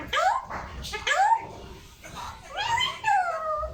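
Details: Pet parrot talking indoors: a series of whistled, sliding, speech-like syllables in short bursts, with rising and falling tones and low room noise between phrases.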